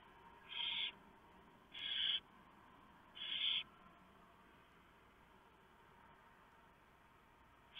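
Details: Male barn owl bringing one huge mouse to the nest while the female shreds it for the owlets, before dawn on 3 November 2015; three rasping hiss-screeches in quick succession, then quiet background hiss, with another starting at the end.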